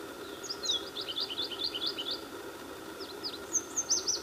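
Red warbler giving a quick run of high, thin twittering chips, then a few sharper notes, over a steady faint hum and low background noise.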